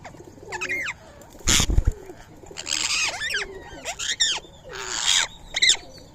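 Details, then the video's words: Free-living Indian ringneck parakeets eating soaked rice and corn at 6:30 am on 20 March 2025; rasping arched screeches repeated about once a second, broken by a loud burst of wing flapping. "Today's Indian Ringneck Parrot Feeding | Natural Bird Sounds"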